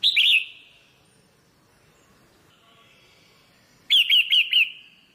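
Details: Female red-whiskered bulbul stimulating the male with calls: a quick chirpy burst at the start, then after a quiet gap four rapid bouncing chirps in a row.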